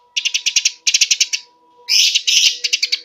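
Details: Eurasian tree sparrow song used as a lure and filler for training caged birds: fast bursts of bright, high chirps in quick rapid series, separated by short pauses, over a steady faint tone.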